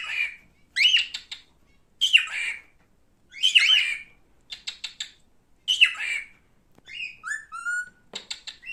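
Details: Male pet cockatiel repeating harsh rising squawks about once a second, mixed with rapid clicking notes, then a short run of clear whistled tones near the end.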